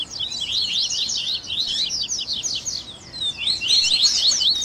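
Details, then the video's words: Mixed Double-collared seedeater songs, a tui tui baderna featuring grego, viviti, flauteado and 3ª nota, meant to train captive birds. Dense, uneven high-pitched twitters and slurred whistles overlapping without pause. "ESQUENTE SEU COLEIRO Áudio de Baderna"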